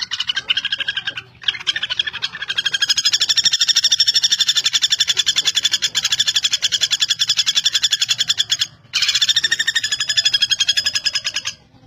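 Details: Extended machine-gun-like rattles of a common goldenback, or pelatuk bawang, sustained for several seconds at a time, with short breaks early on and near nine seconds.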